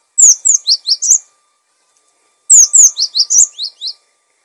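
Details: Energetic cinereous tit song, intended for tutoring and attracting birds: two long phrases of bright, high, descending whistles, five and eight notes each, fast and evenly spaced, over a quiet background.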